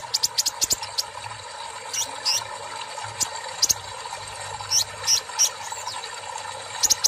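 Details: Brown-throated sunbird, kolibri ninja, singing in the drawn-out "tarik siss" style after a water-bath treatment; thin very high hissing notes and sharp chirps in scattered bursts over a steady mechanical hum.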